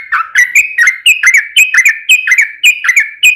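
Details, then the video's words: Yellow-vented Bulbul (trucukan) giving lively gacor song in the long rapid ropel panjang style, used as a lure to provoke other trucukan into singing: quick run of bright, bubbly chirped notes, about two per second, rising and dipping, without pause. "trucukan gacor ROPEL PANJANG buat pancingan trucukan agar bunyi"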